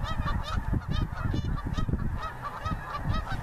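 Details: Geese flying over the Missouri, loud overlapping nasal honks in quick irregular succession from many birds, with low wind rumble.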